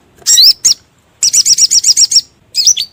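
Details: Crimson sunbird lure call for trapping birds: a couple of sharp high chirps, then a quick run of about eight rapid twittering notes and a final buzzy, high chip.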